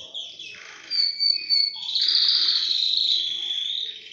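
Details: Tricolor Belgian canary singing energetically: a short high whistle, then a long, loud, steady rolled trill held for over two seconds, bright and ringing throughout.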